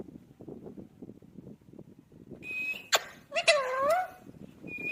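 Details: Talking pet parrot, said to repeat "mitthu mitthu": a steady high whistled tone, a sharp click, then a burst of bending, harmonic, voice-like calls near the end, over a low murmuring background.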